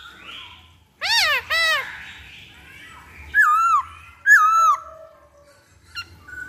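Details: Black-throated laughingthrush song used as a lure: two loud arched notes rich in overtones, then two whistled notes with a falling-rising shape, followed by faint sounds.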